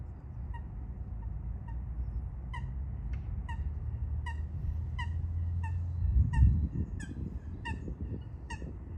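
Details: Fighting coots near a river among other birds: single short, ringing notes at first, then a faster run of sharp calls about four per second, with low rumbling noise and a brief loud splash-like burst partway through.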